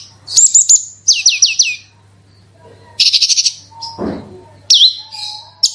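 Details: Javan bush lark song, played as a lure to prompt other larks to sing: rapid series of high, sharply downslurred whistles, bursts of buzzy trilled notes, a brief low rasp near the middle, and a faint steady low hum.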